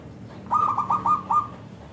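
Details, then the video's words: Actively singing local zebra dove, with a clear, thick voice used to lure other zebra doves into answering, gives one phrase of about six rapid, rolling cooing notes at an even pitch against a quiet, low murmur. "Perkutut Lokal Gacor SUARA Kristal TEBAL Jitu AHLINYA UNTUK pancingan perkutut NYAUT"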